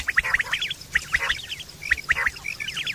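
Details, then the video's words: Quail calling in September 2023, a recording used for hunting and mating: quick bright chirping notes in short bursts of two or three, repeated about every second, with a busy, scratchy background. "Quail fresh sound sep 2023/ batair ki awaz"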